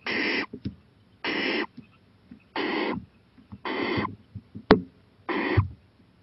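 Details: Owl out on a porch at 11:26 pm, 23 April 2018: five even, raspy hissing screeches about half a second long, repeated roughly every 1.2 seconds, with soft taps and one sharp click between them.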